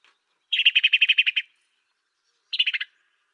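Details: African sparrow, recorded as a master track for songbird training: a quick, even run of about ten chirpy chattering notes, then a short burst of four more after a pause, with a clean, quiet background.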